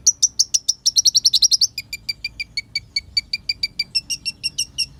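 Olive-backed sunbird: a very high, rapid chittering burst, then a steady run of sharp, thin chips about five per second.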